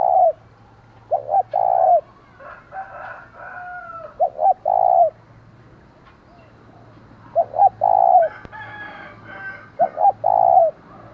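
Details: Spotted dove decoy giving its booming urging call to attract and provoke rival wild doves: repeated low coo phrases of short hoots plus a long note, interleaved with other birds' whistles and chirps and a low hum.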